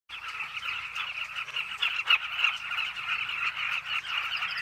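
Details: Carmine bee-eaters at a cliff nesting colony: many birds calling at once in a dense, unbroken chorus of throaty, rolling notes, with rapid irregular bursts over a steady wash of voices.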